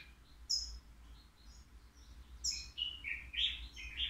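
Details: A European goldfinch, three years old and kept in a cage at the Al Qriaa bird market, sings faultlessly. Scattered high tinkling notes build into a lively sequence of chirped, slightly buzzy phrases.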